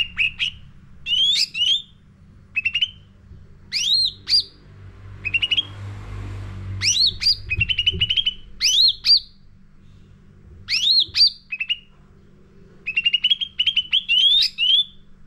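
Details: Sooty-headed bulbul lure song, repeated for training caged birds. Bursts of rapid chattering notes mix with rising whistled slurs, delivered in phrases separated by brief silences across the recording.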